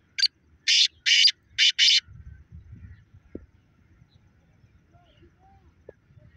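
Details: Black francolin, known as the Pakistani black partridge, calling: a short clipped note followed by four harsh, rasping notes within two seconds, then quiet with faint distant bird notes and low background noise.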